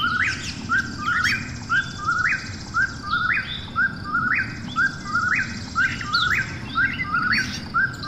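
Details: Night call of an Eastern whip-poor-will, a steady run of whistled phrases, each two low notes then a rising, emphatic end, coming roughly every second over eight seconds, with scattered distant high bird notes.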